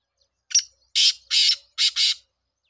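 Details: Rasping five-note phrase from a black francolin, a brief first note, two longer scratchy buzzes, then two quick harsh notes close together, repeated rhythmically in clear, quiet surroundings.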